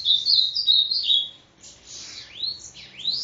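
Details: Parnamirim, Rio Grande do Norte Bananaquit (sibite), called 'endemoniado', opening with a quick wavering run of bright high notes, then a pause and two swooping whistles that dip and climb sharply.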